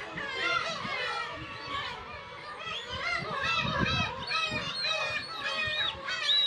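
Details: Dense chorus of Black-tailed gulls on Kabushima island, Hachinohe, Aomori, Japan, early summer breeding colony with chicks, June 2020; many mewing, wavering cries overlap constantly over low thumping and rumbling sounds.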